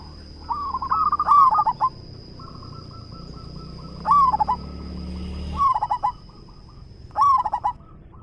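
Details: Local zebra dove, a frequent singer with a big voice, delivers four loud bursts of rapid, rolling staccato cooing, each about half a second long. Softer trilled coos fill the gaps, over a steady high-pitched electrical whine.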